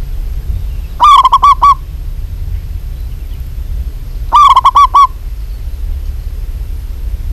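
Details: A female zebra dove from a local strain calls toward a male with two bursts of five or six rapid, loud, rolling coos about three seconds apart. Low hum fills the gaps.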